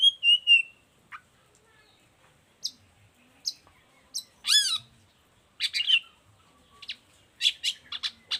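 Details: Long-tailed shrike song meant as a model and lure for other shrikes: a high whistle, then scattered sharp ticks and a loud upswept trill, ending in a dense cluster of rasping chatter notes.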